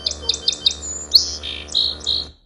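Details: A male Song Sparrow sings one song from his repertoire (up to ten distinct songs): four quick, even introductory notes, then a bright buzzy trill and sweet descending phrases, all high-pitched and clear.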